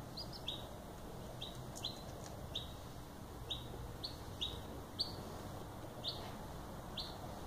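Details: Silver Laced Wyandotte chicks, a few days old and growing more active, giving soft, high peeps repeated about every half second, each a short rising-then-falling chirp, over a low steady background hum.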